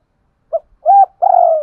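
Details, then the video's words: Two spotted doves cooing together as a duet; a short low note, a pause, then two longer mellow hooting coos, the last one drawn out and slightly trembling, in a quiet setting. "tiếng cu gáy đôi"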